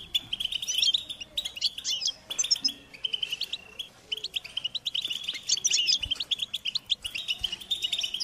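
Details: Begging call of European goldfinch chicks asking parents for food: a steady stream of thin, high, insistent chirps and twitters, mostly continuous with a short lull, and quiet background.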